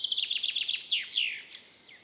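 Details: Common chaffinch, called forest guard in Estonian folk speech, in its April-to-July song: a fast, high descending trill of repeated notes, then a louder slurred flourish dropping in pitch at the end, followed by a brief faint note.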